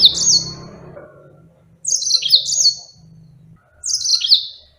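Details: Pet yellow-fronted canary giving three short, sweet, high-pitched warbled phrases, each falling and ending in a buzzy trill, roughly every two seconds, with a faint low hum beneath the first two.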